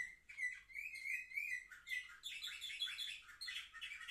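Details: Young canaries, seven months old, recorded 10 November 2023: a wavering whistled phrase gives way to fast, bright, chattering trills at higher pitch.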